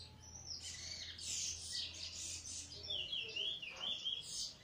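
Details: Eurasian bullfinch recently out of molt, singing its weet teeture and flute roll phrases, recorded 1 January 2022: bright chirps and whistled notes high in pitch, ending in a run of clear, slurred whistles, with a faint low hum beneath.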